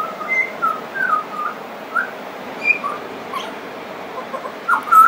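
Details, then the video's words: Pied butcherbird, described as friendly and singing at length with mimicry, gives a continuous string of short fluted whistles, rising and falling slurs roughly every half second, ending in louder doubled notes; faint high-pitched calls from other birds. "Pied Butcherbird wouldn't shut up"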